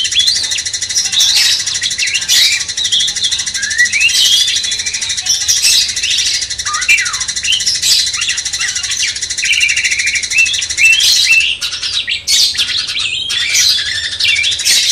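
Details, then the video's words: Sooty-headed bulbul master song for stirring a magpie-robin, a long, busy stream of overlapping whistles, chirps and slurred notes, briefly thinning out near the end, over a steady high buzzing background. "Masteran cucak cungkok bangkitkan emosi kacer"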